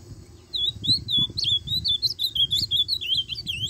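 An Ultramarine Grosbeak sings a fast, warbling run of high, slurred whistles rising and falling, with faint low room noise behind.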